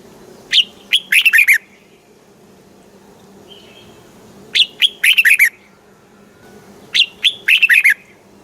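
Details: Thai red-whiskered bulbul singing southern master-style phrases meant to excite and teach caged bulbuls: three bursts of chirpy, warbled whistles, each with an upward opening note then a quick cluster of bouncing notes, several seconds apart.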